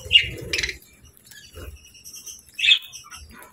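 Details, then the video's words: Happy budgies chirping: a few short, high chirps spaced by quiet gaps, with faint low thumps beneath. "Budgie Sounds 🦜 | Happy Budgie Chirping & Singing"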